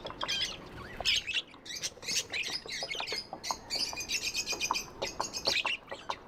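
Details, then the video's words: Lively budgie chatter: a dense, nonstop stream of clicks, squeaks and scratchy high chirps, rapid and irregular, with clicking ticks mixed in. "Budgies amazing love & chirping sounds"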